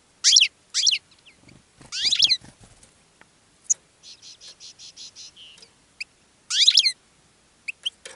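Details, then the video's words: European goldfinch in a cage, singing and attracting other goldfinches; bright, loud descending chirps in bursts alternate with a softer run of evenly repeated buzzy notes and scattered single high tweets. "GOLDFINCH SINGING in a Cage and Attracting Other Goldfinches"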